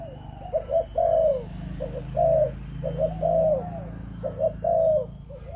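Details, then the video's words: Breeding spotted dove of Malaysian type cooing steadily: paired short notes leading into a longer falling coo, phrases repeated roughly every second over a low constant hum. "Chim Cu Gáy | Chụp Chụp Ô | Cu Malaysia Sinh Sản"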